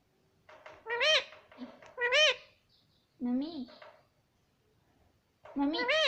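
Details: Pet young parrot calling in a quiet indoor space: bright, arched, harmonic squawks roughly every second, a lower wavering call midway, and a final upswept cry.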